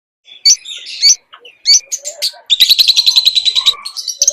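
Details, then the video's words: Lovebird in full song, a rapid run of sharp chirps, buzzy squeaks and trills, then a long fast stuttering series of bright notes and a few higher squeals at the end. "Suara burung Lovebird gacor"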